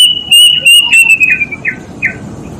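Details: Plaintive cuckoo, known locally as kedasih, giving a long whistled note that slides gently downward, then two short descending whistles, with faint chirps from other birds in the background.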